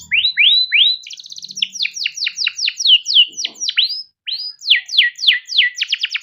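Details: Canary singing long and rolling, used as a lure for young canaries: rising whistled notes, a fast rattle, then repeated descending slurs and a quick closing trill.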